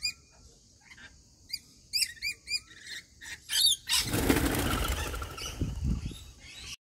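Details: Rainbow lorikeets gathered for routine feeding give a quick series of short, bright chirps, repeated in small bursts, before loud wing flapping rushes in and dominates the second half.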